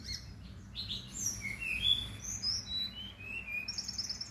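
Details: Melodious song of a brown-chested jungle flycatcher from Bali: a lively string of high, pure whistles, slurred and sliding notes, ending in a short rapid trill, with faint low background noise.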